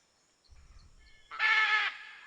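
A single loud, harsh, raspy squawk from a scarlet macaw, lasting about half a second, preceded by a soft low rumble and faint tonal background sounds.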